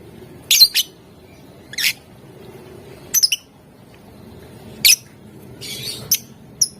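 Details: Lovebird in full voice, sounds used to provoke rival birds into answering: a handful of sharp, very high, shrill squawks and chirps spaced about a second apart, separated by quiet stretches with low room hum underneath.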